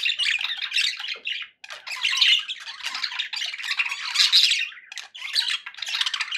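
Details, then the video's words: Pet budgies chattering to keep other budgies company: loud bursts of buzzy, grating warbles separated by two short dips, with sharp squeaky notes mixed in. "budgie sounds for pet parakeets to make tham happy"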